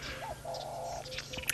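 A black-crowned cuckoo gives a low, hollow whistled call: a brief note, then a longer steady one.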